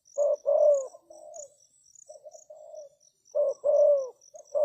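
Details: Decoy spotted dove luring wild doves: a loud stuttered coo, then softer muffled coos, a short pause, and the strong rolling coo returning; a faint high insect ticking runs throughout.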